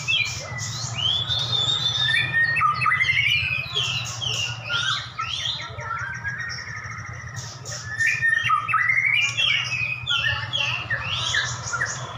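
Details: White-rumped shamas, two prize-winning birds set against each other in a duel, pour out dense, overlapping whistles, rapid chatters and slurred notes almost without pause, with a constant low hum in the background.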